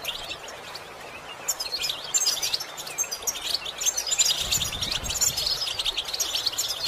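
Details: Goldfinch song meant for training other goldfinches to sing: dense, rapid high chirps and twittering trills that build after a quieter first second and run on continuously, with faint low rumbling underneath.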